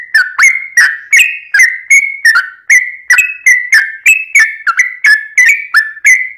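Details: A Yellow-vented bulbul delivers its fighting song, meant to incite other bulbuls to answer. Continuous run of crisp, slurred whistled notes, about three a second, the pitch wavering up and down.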